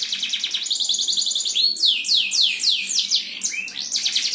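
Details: Canary song used as a lure to get other canaries singing, from a champion bird: rapid high trills give way to a series of loud slurred notes sweeping upward and down, then more quick twittering.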